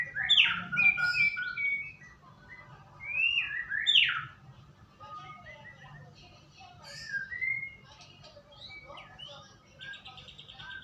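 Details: Lure recording of white-rumped shama song to coax birds into singing: loud whistled and slurred phrases in separate bursts, with quieter chattering and a short buzzy trill between them.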